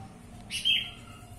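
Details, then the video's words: Black-winged bulbul with one short, ringing chirp, a brief lead-in then a louder level note, with steady low hum behind it. "burung kutilang emas"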